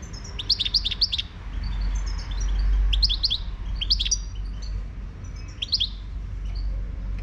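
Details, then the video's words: Moroccan goldfinch from the wild, song: quick liquid twittering phrases of bright chirps, a rapid run at the start, then shorter bursts around three, four and six seconds, over a low background rumble. "تغريد #الحسون الخلوي المغربي"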